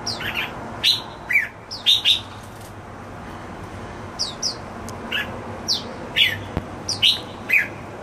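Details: Jambul (red-whiskered bulbul) singing happily at home: crisp short whistles and downslurred chirps come in separate bursts about every half second to second, over quiet room hum.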